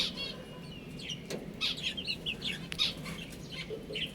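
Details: Young chicks cheeping as they eat and drink, giving scattered bright, short peeps in small bursts, with a few soft lower notes and light knocking sounds.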